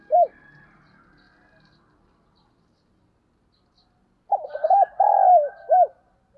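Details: Caged decoy spotted dove, 'giọng thổ' style, used to provoke males: a short note, then quiet with faint distant calls, before a full cooing phrase of stuttered notes, a long coo and a short ending note.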